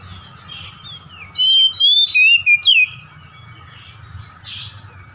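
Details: Oriental magpie-robin kept at home, giving a lure song to prompt another kept bird to show its repertoire: a quick run of loud, clear whistles rising and falling, framed by faint chattering and low background hum.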